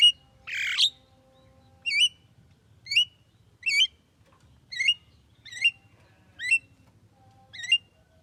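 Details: A harsh squawk opens, then a Javan myna, said to be able to talk, repeats a twisting looped whistle eight times at nearly even intervals of under a second, over faint low hum.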